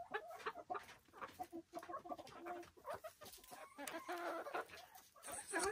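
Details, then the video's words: Silkie chickens on a small homestead farm in the Vermont hills, several birds clucking and murmuring in short overlapping notes, with a few louder harsh calls near the end. "Relaxing Silkie Chicken Sounds"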